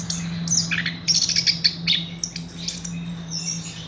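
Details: Horsfield's bush lark song of very high, thin twittering and quick clicks, fading toward the end, with a constant low hum beneath.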